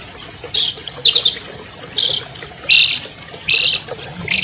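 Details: Albino long-tailed shrike, a 2020 champion, heard as a lure recording for captive shrikes that will not sing: six harsh, raspy high squawks spaced under a second apart over a faint background hiss.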